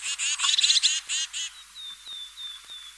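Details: European crested tit singing a quick series of rattling, churring high notes, followed by several thin, slightly falling whistles repeated about every half second.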